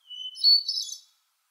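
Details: Brief hermit thrush phrase: a short, pure whistled note followed by a quick, high, shimmering run of fluty notes that ends abruptly. Quiet background.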